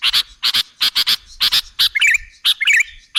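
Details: Sooty-headed bulbul call used as a trapping lure: rapid, scratchy double chirps repeat about every half second, then give way to short, wavering, liquid whistled notes near the end, over a quiet background.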